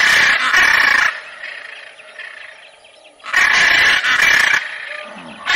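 A macaw gives loud, harsh, raspy screeches, each lasting about a second, with two long outbursts separated by a quieter pause.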